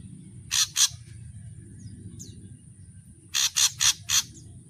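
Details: Ashy drongo singing its varied song: two harsh, rasping buzzy notes, a pause with a faint high whistle, then four more raspy bursts in a rapid run, over a constant high-pitched hum.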